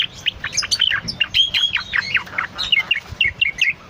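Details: Cucak loreng, a bulbul, singing diligently as a recording used as a master voice or lure for cage birds: a rapid, continuous run of bright, varied whistled and chattering notes with sweeping slurs.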